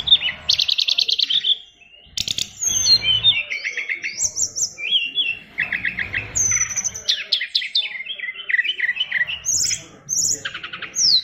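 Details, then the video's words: A Bali-type brown-chested jungle flycatcher, a fighter bird with a song packed with imitations. It sings fast stuttering trills, buzzy chatters, and piercing high whistles in quick, varied succession. "SRDC Fighter isian luber"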